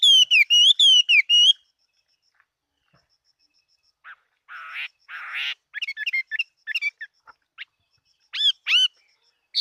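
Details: Chinese hwamei in competition song, opening with a rapid burst of loud repeated whistles, then after a pause harsh buzzy notes and scattered sharp chips and whistles.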